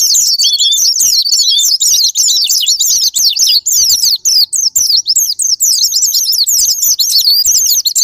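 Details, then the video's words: Japanese white-eye (pleci) song used as a sparring-partner lure to set other white-eyes singing: a dense, unbroken stream of very high, thin, twittering notes, rapid slurred chirps tumbling up and down for the whole stretch. "Pancingan Super Gila Sparing Patner,ampuh buat pancingan Semua jenis burung pleci pemicu andernalin"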